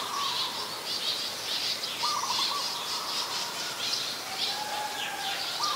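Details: Ashy Woodswallows (Artamus fuscus) in Ubon Ratchathani, Thailand, on 17 December 2019 keep up a steady stream of harsh, high, chattering notes, with a few lower wavering whistles from another bird now and then.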